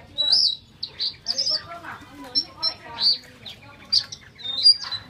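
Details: A Chinese hwamei kept in a cage in Hanoi, Vietnam, sways and nods while singing. Bright, high whistled notes and short rising-falling phrases come in irregular bursts, with softer chattering notes between.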